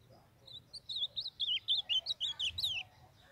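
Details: Blue-black grosbeak (azulão) of Brazil's Northeast singing a warbled phrase of about two and a half seconds: quick slurred whistled notes rising and falling, ending in a brighter, higher flourish, over a quiet background.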